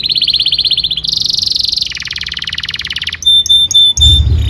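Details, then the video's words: Tutor song for training young canaries: three steady rolling trills at stepped pitches, then a thin pure whistle broken into short repeated notes, with a low rumble near the end. "PANCINGAN KENARI GACOR DURASI PANJANG UNTUK MASTERAN KENARI PAUD BELAJAR BUNYI DAN GACOR"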